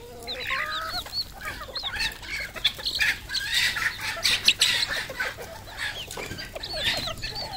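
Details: Red junglefowl in a busy flock on a farm in Cambodia: overlapping high, arching peeps and quick clucks in constant chatter, with scattered rustling and wing noise.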